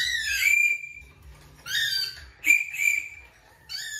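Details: A pet cockatiel during its morning feeding and recall routine on an empty stomach gives loud, rising whistled calls in separate bursts, with a person speaking softly between them.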